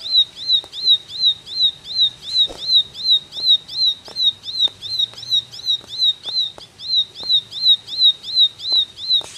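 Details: Long run of a ciblek 'tembakan' song, an arched whistled note repeated steadily around 26 times, with occasional clicks and a low background hum.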